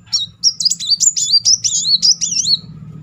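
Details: Lure recording of a sunbird singing continuously to spur silent birds: a dense, rapid twitter of very high, bouncing, whistled notes, roughly two or three per second, clear against near silence.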